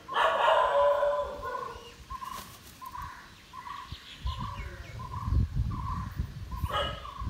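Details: Indian peafowl in an Indian village: a string of short, soft, regularly repeated hoots at steady pitch, with a louder harsh call at the start, rustling and low thumping noise in the background.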